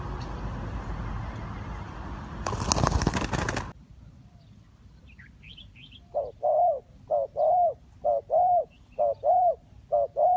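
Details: Dove in a bird-trapping setting; loud wing flapping and rustling first, then after a quiet gap a series of low, hollow two-part coos, short note then longer one, repeated in quick pairs.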